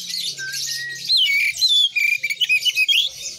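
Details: Oriental magpie-robin in full, energetic song: a low whistled note, then a fast string of sharp, clipped whistles rising and falling, each cut short.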